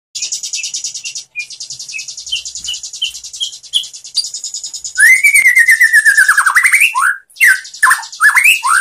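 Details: White-rumped shama song used as a training recording for other shamas: long buzzy high trills, then a loud whistled phrase sliding down, followed by short rapid chirps.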